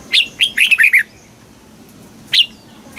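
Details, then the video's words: Red-whiskered bulbul, southern master style meant to stimulate caged birds and teach young: a one-second flurry of bright chirping notes dropping in pitch, followed by a single lone chirp. "เสียงนกกรงหัวจุก สำหรับต่อ หรือ เปิดให้นกคึก เสียงเพราะๆ"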